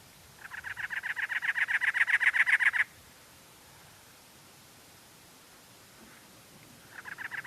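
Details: At Anza-Borrego State Park, a Cactus Wren gives a loud, harsh, chugging series of about twenty rasping notes in under three seconds, then starts another series after a pause.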